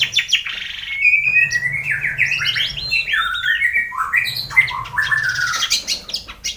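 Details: White-rumped shama morning song meant to coax a quiet bird into full song: loud, varied whistled phrases with rising and falling slurs, looping notes and harsh bursts, restless and changing.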